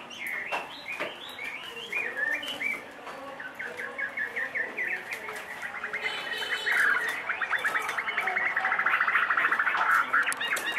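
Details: A caged two-and-a-half-year-old Chinese hwamei with a large build. It sings varied whistled phrases, then long fast runs of rapidly repeated notes forming rattling trills that grow louder toward the end.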